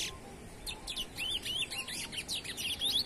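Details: Rapid, high-pitched warbling phrases from a young chestnut-bellied seed finch that keeps singing despite the noise around it, notes tumbling in quick up-and-down slurs over a faint background hum.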